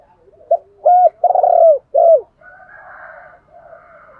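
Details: Decoy spotted dove calling to stimulate wild doves to answer; one low four-note coo phrase with a falling end, then a softer hum of background sound.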